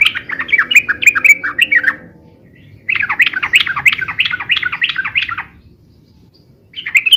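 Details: Chattering song of the yellow-vented bulbul, described as noisy, rapid and long, used for luring and tutoring: two busy bursts of jumbled, warbling notes, each around two to three seconds, over faint low hum.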